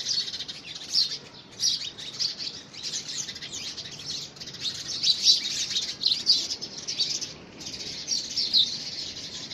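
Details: Several house sparrows clash over a man-made nest box in early February 2017, giving a continuous tangle of bright, twittering chirps that surge and fade in waves.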